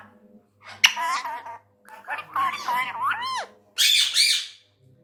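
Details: A tame male Indian ringneck parrot speaks angrily in Urdu/Hindi. Raspy word-like phrases are followed by a swooping upward-then-downward whistle-like tone and end in a loud, harsh, high squawk. A low hum sits underneath.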